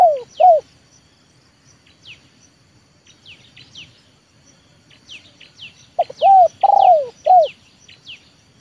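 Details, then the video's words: Trained leopard spotted dove used to lure wild birds down to the yard coos in short bursts and a long falling coo, while another bird keeps giving high, sharp, downslurred chirps throughout. "TEKUKUR LEOPARD AJARAN RASA PIKAT, BERJUANG UNTUK MENURUNKAN BL KE LAMAN"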